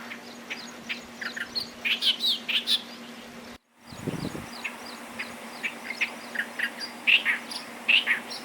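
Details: Clamorous reed warbler at Bhigwan in December 2023: bursts of chirpy, harsh notes, several per second, with a brief break midway and a steady low hum underneath.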